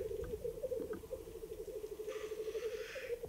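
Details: A spring lek of black grouse in the Dardamty hunting area on the Ketmen Range, Kazakhstan, April 2020, iPhone recording: throbbing rhythmic bubbling at low pitch, then a harsh breathy hiss lasting about a second.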